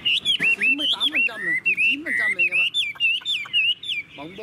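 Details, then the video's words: Tame caged Chinese hwamei in full song: rapid runs of loud, clear whistled notes, slurred and looping up and down, delivered in quick bursts with short gaps. Brief low human speech is heard alongside. "Họa mi đẳng cấp, chim thuần, hót như 1 cái máy"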